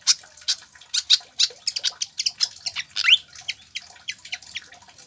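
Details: Pied fantail song played to tutor captive birds: steady string of high, clipped chirps with one clear upward-slurred whistle partway through.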